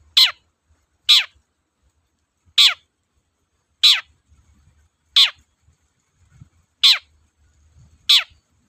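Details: Long-tailed shrike (cendet) singing persistently, used as a lure for reluctant cendet; harsh, buzzy notes sweeping steeply downward, given singly about every 1.3 seconds with silent gaps and faint low rumble beneath.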